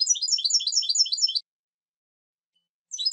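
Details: European goldfinch song: a fast tinkling run of high twittering notes for over a second, a silent gap, then the twittering starts again.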